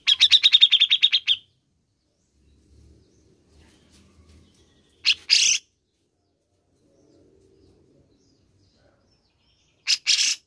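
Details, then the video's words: Grey-cheeked bulbul, used to stimulate caged birds to sing: a quick series of about ten chirps at the start, then faint low rumbling and two pairs of harsh, scratchy bursts spread across ten seconds. "PUTAR SAJA JIKA INGIN CUCAK JENGGOT ANDA GACOR"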